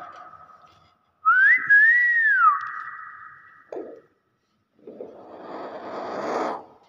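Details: Common hill myna of the intermedia subspecies, Thailand: one clear whistle that rises, wavers and drops, a short pause, a brief noisy burst, then a breathy rushing sound.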